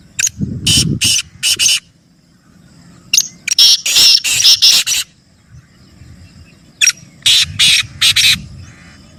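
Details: Black francolin calling repeatedly in three harsh, scratchy phrases of several grating bursts each, separated by pauses; played to set pet birds calling, with a low thud at the start.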